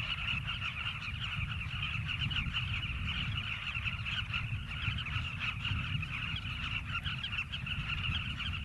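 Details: Southern carmine bee-eaters at their riverbank nesting colony in South Luangwa, Zambia. Many birds chatter continuously in rolling, overlapping calls over a strong, steady low rumble of wind or water.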